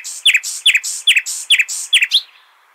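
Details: Hasaniya-style nightingale song meant for tutoring goldfinch and hybrid chicks: loud, rasping, buzzy notes each ending in a sharp chip, repeated about every half-second six times before fading.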